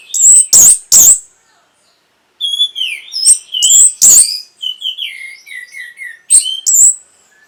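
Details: Orange-headed thrush singing, meant to arouse breeding urge and prompt replies: loud sharp high chirps, a silent gap, then varied whistled and twittering phrases with more sharp chirps near the end.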